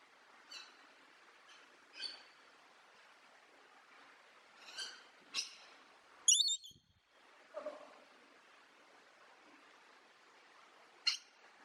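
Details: Pet parrot giving short, scattered harmonic squeaks and chirps, spaced a second or more apart, with one louder, sharper squawk near the middle; otherwise a quiet room.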